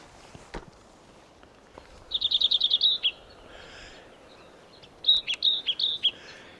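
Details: Painted Redstart singing from the shade on a sunny day gives two bright, high phrases of about eight quick, even-paced notes each, separated by a few seconds of quiet outdoor background.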